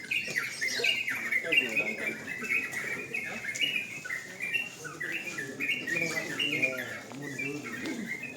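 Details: Several sooty-headed bulbuls competing in a singing contest at night, pouring out rapid chattering, up-and-down whistled notes in a continuous chorus over low murmuring voices.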